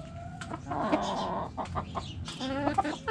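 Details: Backyard chicken coop, hens clucking: loud, harmonic, drawn-out clucking calls in quick overlapping bursts, with low background rumble.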